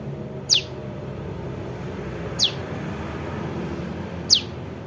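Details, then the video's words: Young bar-winged prinia call used as a lure for bird trapping: a sharp, high descending chip repeated about every two seconds, three times, over low rumbling background noise. "SUARA PRENJAK LUMUT [ ANAKAN ] AMPUH UNTUK PIKAT"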